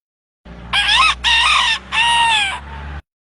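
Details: A hen gives a loud, harsh, three-part call over about two seconds, the last part longest and trailing off lower, over a faint low hum.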